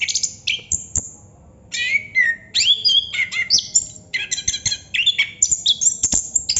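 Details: Chestnut-capped thrush performing long ngerol song: after a short pause, a rush of tumbling, varied whistles and high chattering notes pours out almost without stopping.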